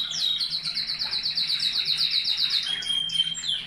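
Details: Canaries in a breeding cage, song to stimulate them: an even, rapid trill of repeated downward notes, about four per second, ending in a pure whistled tone.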